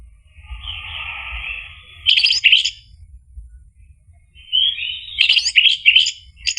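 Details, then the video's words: Orange-headed thrush lure song, ngeplong style, to make a mute bird answer. Two phrases of loud, scratchy, rapidly jumbled notes separated by a quiet gap, over a faint steady hiss. "PANCINGAN ANIS MERAH agar NYAUT jadi BUNYI GACOR ikut NGEPLONG ampuh buat terapi macet bunyi"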